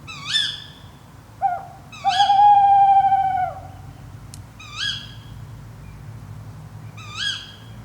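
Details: Night recording from an unattended rig in woodland of Padarn Park, Wales: tawny owls give a prolonged, slightly wavering hoot after a short note, while sharp upswept harmonic calls recur about every two and a half seconds.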